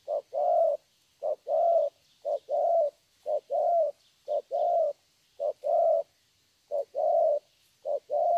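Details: Wild-caught young spotted dove in Vietnam singing 'thổ' style: repeated low coos, each clipped note answered by a longer resonant one, about seven pairs with brief gaps.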